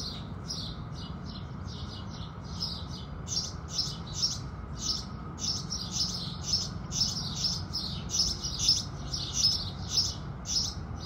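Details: House sparrows singing at sunrise: a lively, fast run of repeated high chirps, nearly two per second, growing louder toward the end, with a quiet low background hum.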